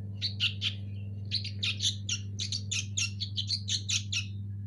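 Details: Young sooty-headed bulbuls of local stock give rapid, rough chirping bursts that run together into near-continuous chatter, over a prominent low hum.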